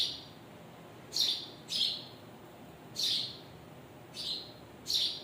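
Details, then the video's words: Adult birds and their babies chirping: loud, piercing single chirps, some in quick pairs, spaced irregularly about once a second, against a faint continuous background hiss. "Birds and their babies chirping sound"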